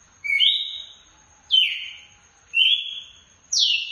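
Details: Red-cowled cardinal, a breeders' bird, singing loudly in the açoite style: four clear whistled notes about one second apart, alternately rising and falling slurs, each strong at the start and fading, with a faint steady hiss.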